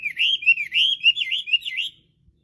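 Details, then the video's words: Rapid warbling whistles from a Chinese hwamei in full song, a tumbling string of rising and falling notes lasting about two seconds before ending abruptly in silence. "Kicauan Burung Hwamei//Wambi Gacor"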